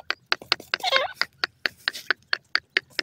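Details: Grey francolin calling while feeding: a steady series of short, sharp notes at roughly four to five per second, briefly overlapped by a blurred burst near one second.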